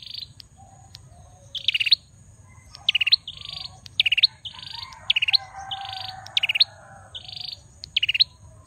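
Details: Male bar-winged prinia singing in full, lively voice: loud bursts of sharp, high, stuttering chirps roughly every second, alternating with short buzzy notes, over a faint steady low hum.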